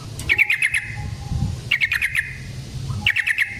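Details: Yellow-vented bulbul (trucukan) fighting song, used as a lure: three short bursts of four or five quick bubbly notes, each burst spaced about a second and a half apart, over a low steady rumble.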